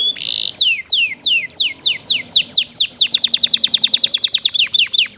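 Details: Canary singing 'gacor' with rich 'isian mewah' fill: a brief buzzy note, then a series of steeply descending whistles that accelerate into a fast, regular stream of clipped chirps.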